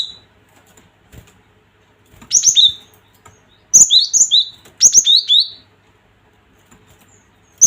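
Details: Gelatik batu song played to stir a rival's fighting spirit: clusters of piercing high chirps, each pair stepping from a higher note down to a lower one, three bursts in succession then quiet.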